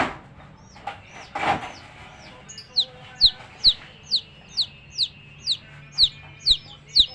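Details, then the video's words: Baby chicks, described as coloured chicks, peeping: clear downward-sliding high whistled chirps repeated about every half second, after a brief burst of rustling and a short noisy sound near the start. "Baby "Chicks Chirping" Sound"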